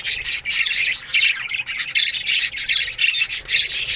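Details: Budgerigars in an aviary colony chirping in the morning: a dense, continuous chatter of high, scratchy warbles and squawks with short breaks between bursts.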